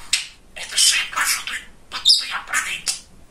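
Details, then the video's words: Chatty, funny male pet budgerigar talking indoors: raspy, high-pitched bursts of mimicked speech, several short phrases with brief pauses between, in a small room. "Разговорчивый Волнистый Попугайчик"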